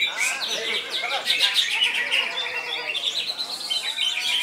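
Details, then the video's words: Greater green leafbird in loud, continuous song, a rapid jumble of high chirps, whistled slurs and fast chattering trills packed closely together. "Cucak Ijo"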